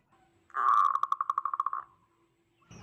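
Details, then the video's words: Local zebra dove with a loud voice, used as a call to provoke other zebra doves: one rapid trill of about fourteen evenly pulsed cooing notes lasting just over a second, then silence and a brief knock at the end. "Perkutut lokal gacor suara besar - Panggilan perkutut Ampuh BIKIN PANIK perkutut lain"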